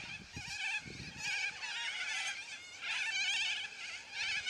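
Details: Loud squawks from a noisy flock of yellow-crested cockatoos form a continuous harsh, buzzy chorus of wavering screeches that swells in several surges, with faint low knocks at the start.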